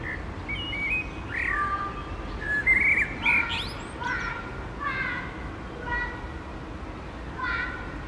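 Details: Common blackbird singing: a series of mellow, fluty whistled phrases, some rising and some falling, each ending in thin, high twittering notes, with short pauses between phrases.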